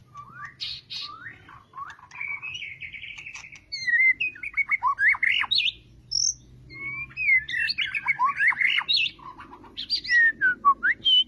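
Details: Caged white-rumped shama, moult just completed, pours out a long varied song: sweet whistled slurs giving way to a rapid series of clipped, repeated notes and bright rising whistles.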